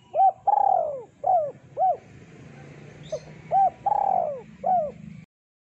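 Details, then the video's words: Thick-voiced spotted dove used as a lure, cooing in two phrases of short hollow arched notes, each with one drawn-out rolling coo, over steady low background noise. "Suara Burung Terkukur Deruk Derkuku Gacor Suara Tebal Buat Pikat"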